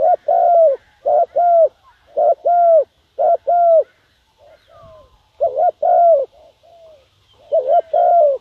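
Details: Caged decoy spotted dove calling to attract wild doves: a steady run of low, husky paired coos, a brief note then a drawn-out one, repeated roughly every second, with short pauses and softer fragments between phrases.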